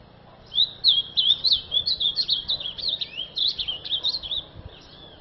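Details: An azulão sings a continuous, rapid warble of high, slurred notes that rise and fall about three times a second for roughly four seconds. The background is quiet.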